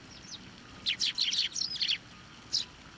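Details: Several sparrows taking food from posts and hands at a Tenmangu shrine, November 24, 2023, give a rapid string of bright, clipped chirps near the middle, then one lone chirp after a pause.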